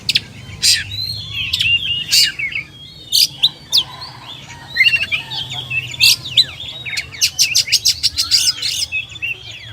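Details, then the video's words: Oriental magpie-robin (kacer) song of short whistled slurs broken by loud sharp clicking chips, and near the end a fast run of repeated ticking notes. "SUARA BURUNG KACER"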